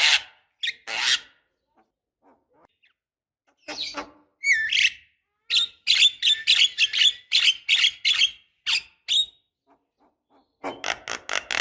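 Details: Black-winged starling calls used as a lure to get young birds singing: scattered harsh squawks, then a fast run of sharp chattering notes and a final noisy burst.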